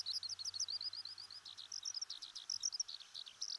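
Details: Eurasian Skylark, a wild bird of Japan's farm fields, grasslands and watersides, delivering a rapid, unbroken stream of high, thin chirps and trills, densely packed and tumbling without pause; faint low hum underneath.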